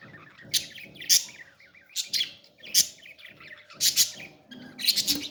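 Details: Parrot chick being fed, uttering a series of sharp, harsh chirps roughly every second, interspersed with softer murmurs and faint low rustling.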